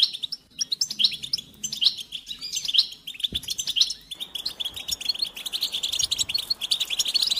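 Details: Goldfinch song played to stimulate other goldfinches to sing: dense, rapid high twittering with sweet chirps and trills running almost continuously, brief pause near the middle, then a steady busy chatter.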